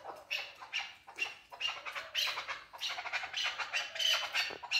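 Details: Male chukar partridge: harsh, grating chuck notes in short clustered bursts, irregularly spaced and growing louder toward the end.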